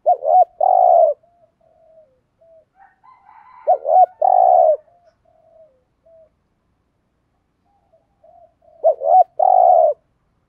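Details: Spotted dove decoy bird calling thúc gù style to lure wild doves; three low coo phrases about four seconds apart, each a wavering lead note then a steady coo, with soft quiet notes between.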